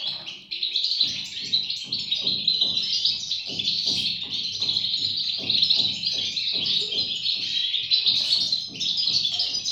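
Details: Young European goldfinches twitter in a dense, high, continuous chorus, while regular low thumping pulses sound underneath about twice a second.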